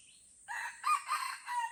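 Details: Red junglefowl in Lamteuba forest, Aceh, during a bloody fight between wild birds: a short, segmented crow of harsh, harmonic notes. It begins after a brief quiet start and rises and falls in three bursts. Steady high hiss behind it.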